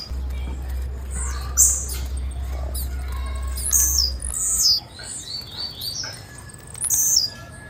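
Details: Female blue-black grassquit calling with thin, high chirps, single or in quick pairs, spread through the recording with brief pauses, while a low steady hum runs beneath the first half.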